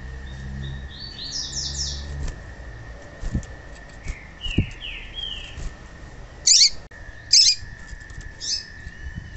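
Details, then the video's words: A female seedeater, whose call is used to stimulate male seedeaters to sing, gives short, high chirps and clipped twittering notes in loose bursts, over a steady thin tone and a few low thumps. "Piado de Fêmea de Papa capim Para Esquentar Papa capim"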